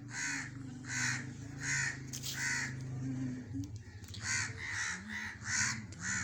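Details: Black francolin calling: a series of loud, harsh, grating notes repeated about once a second, with a short pause midway, over a steady low rumbling hum.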